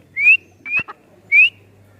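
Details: Female francolin (teetar), a hunting call, from Rahim Yar Khan, Punjab, Pakistan: three short, clear whistled notes, each rising sharply, spaced about half a second to a second apart, with a faint low hum underneath.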